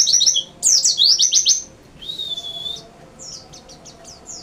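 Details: Fast high twittering from a white-eye breaks off for a drawn-out thin whistle, then returns as a spaced series of short, sharp upslurred chirps.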